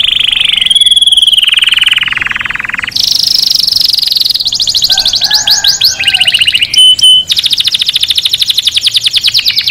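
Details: Canary song used to stimulate males to sing and mate and to teach chicks: long high rolls of rapidly repeated notes, each held steady for a second or two, then switching abruptly to new pitches. It ends in a fast buzzy trill.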